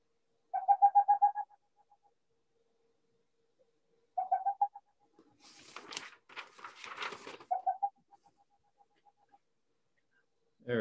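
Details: Boreal Owl, a small six-ounce owl of Manitoba's boreal forest, giving quick bursts of about eight soft, hollow toots in rapid succession, repeated after a pause; a short rough, crackling noise falls between bursts.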